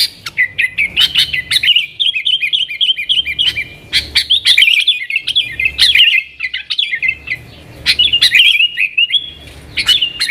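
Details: A trucukan, the yellow-vented bulbul, sings strongly in 'nggaruda' manner as a lure for wild sooty-headed bulbuls; it gives separate bursts of rolling, chattery warbles, each lasting one to two seconds, with short gaps between them.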